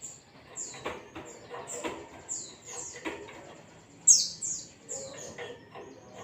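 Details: Ngalas-style white-eye song played to trigger singing in other birds: a steady run of very high descending whistled notes, about two to three per second, with one louder sweeping note near the end and faint tapping underneath.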